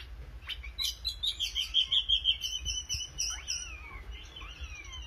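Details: Oriental magpie-robin in lively song: a rapid, even series of high, clear notes runs for about two seconds, then slurred whistles and sliding notes follow. A low hum sits underneath.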